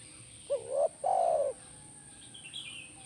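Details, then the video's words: Single spotted dove (tekukur) phrase from a recording played to make a caged bird answer: a rising double note and a long mellow coo, followed by faint high chirps from another bird. "Pasti Nyaut Burung Tekukur Anda Dengan Terapi SUARA BURUNG TEKUKUR INI"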